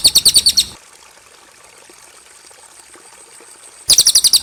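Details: Cililin song used as tutor recording for young birds such as jalak suren: two short bursts of about seven rapid, very high, evenly spaced chipping notes, separated by a quiet gap.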